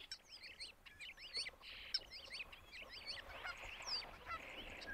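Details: Male starling mimicking other species: a rapid jumble of squeaky whistled and chattering phrases, rising and falling zigzag notes repeated in bursts, with sharp clicks throughout.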